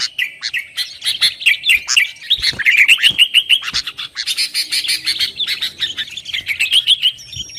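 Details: Lively sooty-headed bulbul song played to rouse rivals and train kept birds: busy, rattling chatter with rising and falling warbled notes and scattered clicks, steady throughout.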